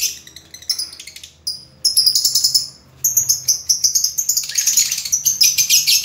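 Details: High, squeaky lovebird chatter that begins in scattered short chirps, then builds into a rapid, rasping twitter that grows denser and louder toward the end.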